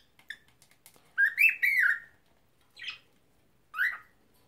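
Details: Cockatiel kept as a pet, attempting to talk and sing, gives one loud warbled whistle lasting under a second, then two short separate chirps after brief pauses.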